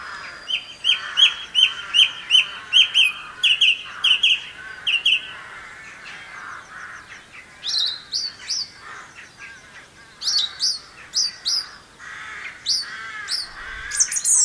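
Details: Song thrush singing in Campbeltown in April 2012: a rapid series of bright, ringing notes repeated several times over, then new phrases of sharp, high chirps, each phrase repeated, over a soft wash of background birdsong.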